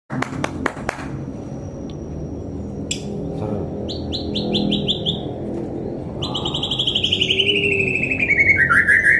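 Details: White-rumped shama with a song called very crisp, indoors: after a few sharp claps, bright whistled phrases of rapid repeated notes, a falling series of chips, and long buzzy trills. Music plays faintly beneath.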